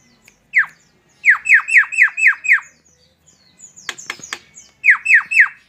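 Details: Tame Javan myna, local name jalak kebo, sings: one harsh falling note, a fast run of six squawky downslurs, a burst of clicking rattles, then three more downslurred notes.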